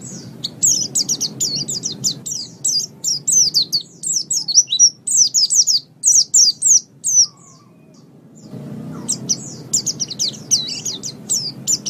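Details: Mountain white-eye song recorded to train caged birds, best used at morning or evening: fast bright chirping bursts for about seven seconds, a quiet gap, then the high twittering resumes.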